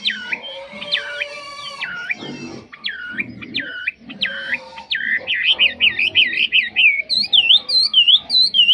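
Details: Chinese hwamei of the mộc chuyền type, said to sing very well without faults; loud whistled phrases of looping U-shaped notes, then quick rising-falling warbles speeding up toward the end, over faint background music.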